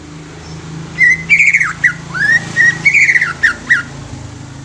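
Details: Song of a young greater green leafbird used to prompt newly caught leafbirds to sing: quick sequence of clear whistled notes, some warbled, others sliding up or down, over a low background hum.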